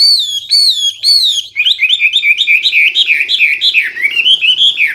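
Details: A Hwamei sings loud, clear, full song: three strong down-slurred whistles, then a quick rolling series of looping, wavering notes.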